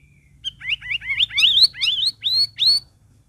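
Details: Sooty-headed bulbul, a cage bird, sings a lively phrase used to encourage stalled cage birds to sing. Rapid, warbling whistled notes swoop up and down in a run of about eight syllables, ending in upslurred whistles.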